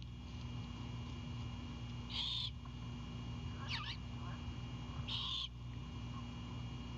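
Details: Great horned owlet chipping on a nest cam in Savannah as its mother arrives with Anhinga prey at night. Two hoarse, hissy bursts about three seconds apart, with a fainter crackly sound between them and a steady hum.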